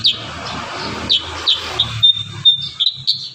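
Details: Kurincang in full song, meant for tutoring young birds: spaced high chirps, then a thin sustained whistle and several quick bright notes, over a low background rumble.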